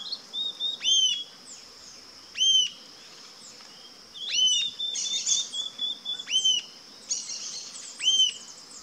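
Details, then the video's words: Wild rufous-tailed jacamar (Galbula ruficauda) calling with clear, high, sharp whistled notes spaced a second or more apart, mixed with some softer twittering notes and a constant high insect drone behind. "RUFOUS-TAILED JACAMAR (GALBULA RUFICAUDA), ARIRAMBA-DE-CAUDA-RUIVA"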